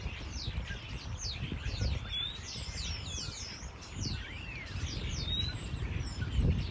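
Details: Common starlings singing on Whitchurch Green, a field in South Bristol, in December 2021, chatter in a busy jumble of clicks, squeaks and slurred whistles, one swooping up and down, over wind and distant traffic.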